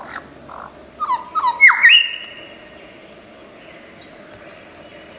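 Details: Lyrebird, the Australian forest mimic, giving a few soft low notes, then a sharp rising whistle held level, and later a thin high rising whistle after a pause.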